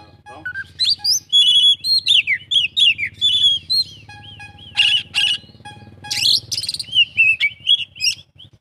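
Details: Oriental magpie-robin giving a full 'isian' imitation song of rhythmic repeated slurred whistles, interrupted by two harsh rasping bursts, over a steady low hum.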